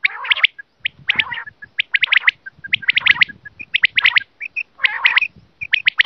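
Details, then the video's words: Quail voice used to catch quail by hunters: dense, continuous sharp chirps in rapid clusters, with occasional grating bursts among them and a faint low rumble throughout. "The quail's voice to catch"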